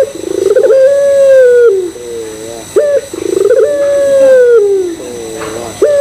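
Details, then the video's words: Repeated coos of a puter pelung Barbary dove, played to provoke other doves: pulsed trill into long level hoot, falling finish and low doubled notes, then a sharp rising note opening each new phrase. "Pancingan Puter Pelung Bikin Puter Pelung Yang Lain ikutan Gacor"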